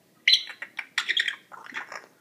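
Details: Captive female African grey parrot chick, 14 weeks old, finding her voice indoors; a burst of squeaky, chattering chirps and warbled notes in quick succession, with people speaking Spanish just before and after.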